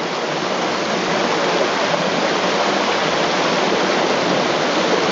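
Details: Steady rushing stream or small waterfall on a forest walk in the Connondale Ranges, a dense broadband hiss of water with no animal calls heard.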